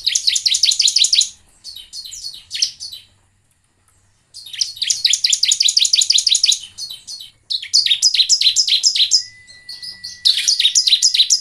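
Bar-winged prinia giving high, rapid, repeated chipping notes in bursts of one to three seconds with short pauses; a faint steady whistle shows near the end.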